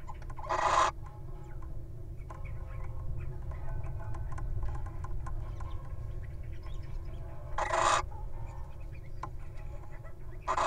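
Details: Little owl pair at a nest box in the wild, one mate guarding while the other goes in: harsh rasping screeches spaced several seconds apart, faint clicks between them, steady low-frequency hum throughout.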